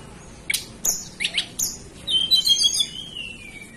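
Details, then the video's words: Hill blue flycatcher from the Banten and West Java mountains, Indonesia: a few sharp clicks and chirps, then a soft high warble that slides gradually downward. "Tledekan Gunung lokal asli Banten"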